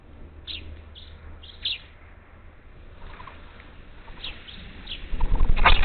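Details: Up to ten parakeets at a Gulf Coast feeder near Houston, Texas, July 2021: clusters of brief scratchy descending chirps, then a loud clattering burst of noise near the end.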